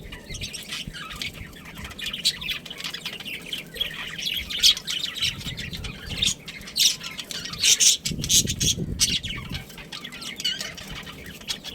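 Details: Budgerigar breeding pair, Australian parrots: dense, continuous chattering and squawky warbling with frequent sharp chirps, and a low rumbling noise around the middle.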